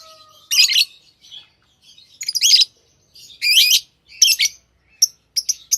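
Lovebirds chatter in shrill, buzzy chirps and harsh squeaky bursts, coming in quick clusters every half second to a second, with a few sharp high tweets.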